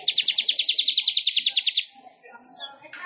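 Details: Weaver (manyar) song used for training songbirds: a fast, even trill of about sixteen high buzzy notes lasting nearly two seconds, followed by scattered faint chirps and a brief rasping burst at the end.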